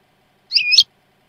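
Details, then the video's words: European goldfinch from a Jordanian-style training tape: a single short, buzzy, slightly nasal call lasting about a third of a second, against silence. "شريط تسميع حسون لغه الأردن خالي من الأخطاء"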